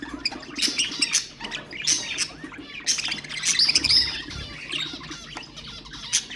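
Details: Budgerigar song meant to encourage other birds: continuous chattering warble of high, scratchy chirps and quick whistled slurs, swelling in louder bursts about every second.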